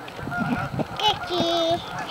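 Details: At a Canada geese staging area on Amber Trails Lake, Winnipeg, Canada, several distinct nasal honks, some drawn out and wavering, stand out over a noisy background of other flock calls.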